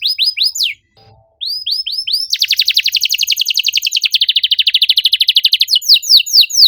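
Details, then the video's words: Canary bait song: a few arched whistles, a brief silence with a faint click, more curved notes, then a long steady rapid trill of short chirps lasting several seconds before ending on louder arched notes. "PANCINGAN KENARI MACET GACOR NEMBAK RAPAT CUIT CUIT DIJAMIN AUTO BUNYI KALO DENGER KENARI INI!"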